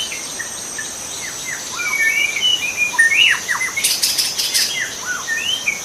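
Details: White-rumped shama in the wild delivering a varied song of downslurred whistles and short rising notes, with a brief rustling burst midway and a steady shrill insect hum behind.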